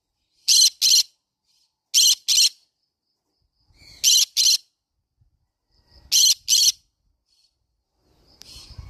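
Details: Shrill, buzzy double screeches from a green-cheeked conure, repeated four times at roughly two-second intervals, with faint rustling near the end.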